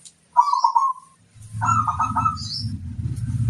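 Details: Local zebra dove lure song: two trilled, rippling coo phrases, the second partly masked by a steady low rumbling coo from another bird, with faint high chirps above.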